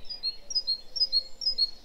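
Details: Great tit (Parus major) song: bright, high two-note 'teacher' phrases alternating high and lower notes with a bouncy, slightly uneven rhythm, over a faint low hum, contrasted with the even chiffchaff song.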